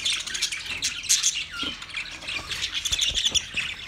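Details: Group of budgerigars, twenty pairs, giving rapid high chirps, grating squawks and brief whistled notes in a dense overlapping chorus.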